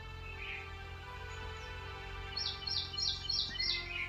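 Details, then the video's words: Red-whiskered or other bulbul nestlings, between one and fifteen days old, give quick, high, thin chirps, several per second in short bursts, over a steady low hum. "baby bulbul birds"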